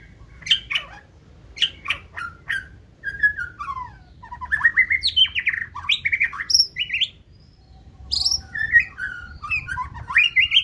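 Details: White-rumped shama, caged, 2024 season, delivering forest-voice song: a series of short piercing chips, then a lively medley of looping whistles climbing and dipping, a brief pause, and another bright varied phrase.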